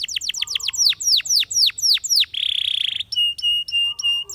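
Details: Spanish Timbrado canary song opening with rapid descending slurred notes, slowing into longer drooping whistles, then a buzzy rolling trill and a series of metallic, clipped repeated phrases.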